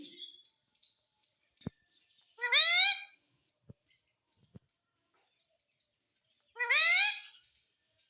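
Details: Indian ringneck parrot talking, saying "mummy": two loud, nasal, rising word-like utterances about four seconds apart, with soft chirps and clicks in a quiet room between them.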